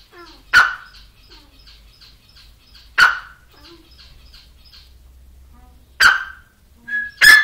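Grey francolin giving loud, harsh, abrupt calls about every three seconds, then a quicker pair, with faint high chirps of small birds in between.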